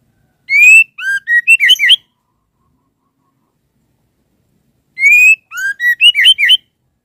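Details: A female white-rumped shama calling the male repeats one whistled phrase twice, about four seconds apart: a rising whistle, a low falling slur, then quick bouncing notes ending in a twisting flourish.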